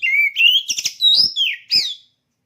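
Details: Caged oriental magpie-robin readied for contest: a steady whistle followed by a rising note, a burst of chattering, then several sweet slurred whistles, some falling, some swooping upward.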